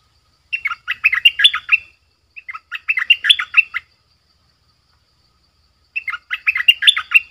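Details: Streak-eared bulbul kept as a decoy, calling wild birds in; bursts of fast, twittering chirps rising and falling in pitch, a short pause then a second burst, and a third after a longer gap.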